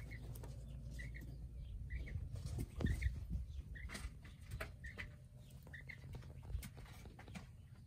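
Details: Domestic quails in their enclosure: faint, short double peeps repeated about every second, with low rustling, scratching and movement noises beneath.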